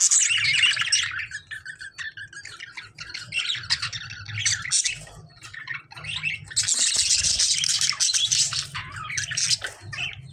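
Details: Lovebirds clash with budgerigars in loud bursts of harsh, hissing squawks and chirps, with a brief quieter spell of scattered chirping in the middle before the din resumes.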